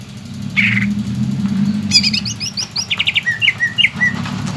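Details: A greater green leafbird sings over a noisy, rushing background, as a lure for young birds: a buzzy note, then a quick jumble of high whistled notes and a rapid trill, with slurred whistles at the end.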